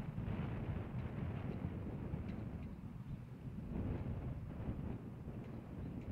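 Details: Steady wind buffeting and a low engine-like rumble fill the recording, with no animal voice standing out.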